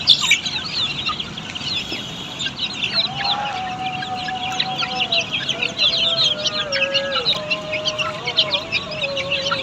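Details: Australorp chicks kept on a poultry farm: many overlapping high cheeps, rapid and continuous, over a faint sustained hum that wavers and drops in pitch.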